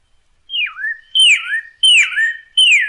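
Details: Red cardinal song used as a training recording for captive birds: four clear whistled phrases, each a downward slur from high to middle pitch, repeated about every 0.7 seconds with a brief lower tail after each.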